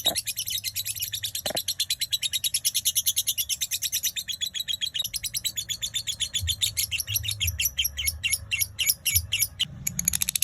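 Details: Lovebird singing in the fast konslet style at dawn: a long, steady stream of sharp, high chirps repeated several times a second, sometimes faster, over a soft low hum.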